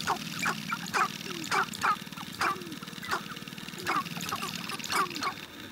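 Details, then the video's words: Sharp-tailed grouse courtship display: several birds give sharp, barking cackles about once a second over a low, rapid drumming rattle. "Sharp-tailed Grouse Courtship Display"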